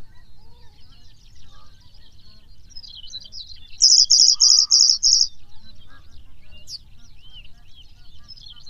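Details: Pallas's bunting singing: a brief run of about six loud, evenly spaced, high buzzy notes, each a quick chirp, preceded and followed by softer, thin high twittering, with a low rumble of background noise.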